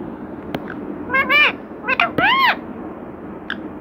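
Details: Talking parrot imitating the words Radhe Krishna, giving three short, bending, voice-like syllables in quick succession, with a couple of faint clicks in a quiet room.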